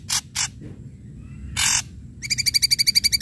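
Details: Loud ashy drongo song for luring quiet drongos: two short harsh rasps, a longer scratchy burst, then a rapid, evenly pulsed buzzy trill of about a dozen notes.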